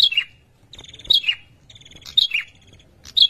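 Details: Male prinia giving its mating call to summon a female: sharp, high chirped phrases, each a quick falling note with a buzzy rattling tail, repeated in bursts roughly once a second, clear and close with little background.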